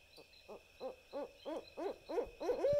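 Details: A barred owl, one of a pair, calls at night in woods in central Texas east of Austin in response to playback: nine hooting notes, about three per second, growing louder and ending in a drawn-out note, over a steady high hum.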